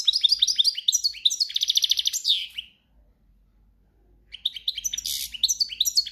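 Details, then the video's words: In breeding season, a European goldfinch sings campero song: quick chattering phrases and a buzzy trill ending in a falling slur, a silent gap, then renewed twittering with a harsh burst. "Jilguero cantando ** cante campero**"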